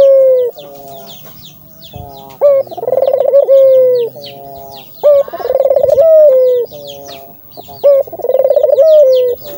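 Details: Barbary dove cooing, meant to encourage doves to call. Three phrases each carry a short opening note, a fast rolling trill and a long, softly falling ending. Small birds chirp steadily in the background.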